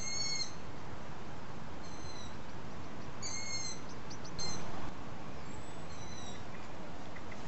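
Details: Begging long-eared owl young being fed by their parents after dark: several high, squeaky, drawn-out whistles from more than one youngster, some overlapping, a few short clicks near the middle, with constant low background hum.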